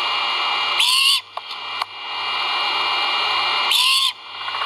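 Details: Great horned owl chicks at a nest give two harsh, hissing screeches about three seconds apart over a steady background hiss. Recorded by a live nest camera at Skidaway Audubon around feeding time, 1 April 2022.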